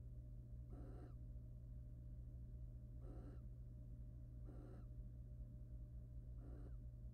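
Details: Wild barn owl pair in a nest box, the male preening and then mating with the female. Four short, harsh, rasping bursts come roughly every one and a half to two seconds over a steady low electrical hum.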